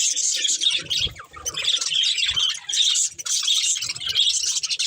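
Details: Budgerigars, a breeding pair with their family: a continuous dense chatter of high chirps, warbles and squawky notes with barely a pause, joined by occasional low thumps.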